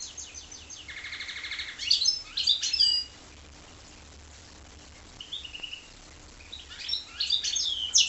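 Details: Goldfinch × canary hybrid opening with a rolling trill and tumbling chirps, falling quiet apart from one short whistled note, then resuming with bright twittering phrases.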